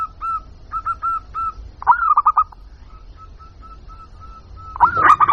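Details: Lure sound of a local zebra dove: spaced single coos, then a rapid stuttering trill of hooked notes, a run of soft, regular notes, and a final loud trill burst.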